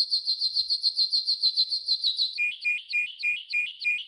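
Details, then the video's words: Training song from a yellow golden canary. A rapid series of bright, clipped, repeated syllables gives way to a slower, bouncing two-note trill, about three notes per second. "Yellow GOLDEN Canary 12h Training Song"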